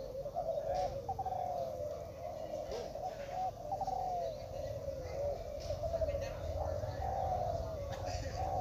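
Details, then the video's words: Spotted doves in a Klantan-style cooing contest held at Gunung Kembar, East Lombok, in 2021: several birds' low, rolling coos overlap almost without pause, with faint talk in the background. "Lomba Derkuku Klantan"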